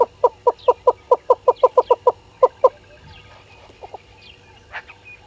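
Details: Yellow-billed hornbill filmed by a live waterhole camera at Gowrie dam, Djuma Game Reserve, Sabi Sand Wildtuin, South Africa, at 05:44 on 10/02/21. It gives about thirteen evenly paced, loud clucking notes, then stops. Faint chirps from other birds follow.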